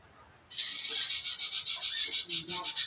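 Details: Scarlet minivet lure call meant to make the bird sing. After half a second of quiet, a fast, continuous run of high, shrill pulsed notes carries on to the end.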